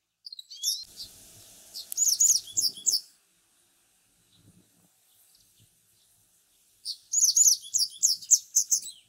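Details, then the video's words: Japanese wagtail singing in a residential area in warm weather, a bird often seen near water that perches on antennas to sing: clear, high, varied whistled and chirped phrases in two bursts separated by a quiet pause. "セグロセキレイ 鳴き方"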